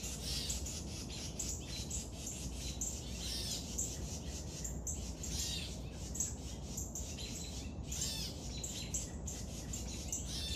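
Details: Woodpecker youngster being fed, producing a long run of scratchy, buzzing begging notes in clustered bursts, rising and falling in intensity, with steady low hum underneath.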